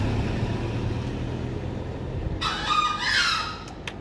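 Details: Green junglefowl crowing: after a stretch of low engine rumble, one harsh, hoarse burst of about a second rises suddenly, followed by faint clicks.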